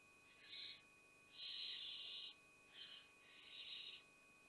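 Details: Barn owl mother repelling her young at Théding on 5 July 2021. Four rasping hisses in quick succession, the second long and loud, the others shorter and softer, with a constant faint electrical hum behind them.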